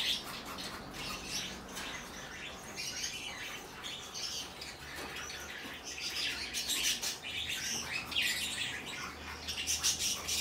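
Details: A baby, hand-tame cinnamon green-cheeked conure in Fukuoka, Japan, on 14 October 2023 gives dense, high, scratchy chirps and squeaks in rapid overlapping bursts, with other small birds calling around it.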